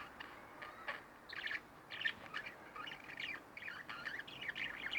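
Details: Two pet budgerigars at home keep up a steady warbling chatter of quick, scratchy, rising and falling notes, overlapping in dense bursts.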